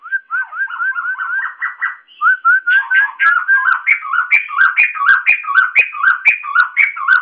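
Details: Loud, many-voiced caged white-crested laughingthrush delivering a steady chain of short upslurred whistles, then livelier alternating high and low whistled notes repeated about twice a second.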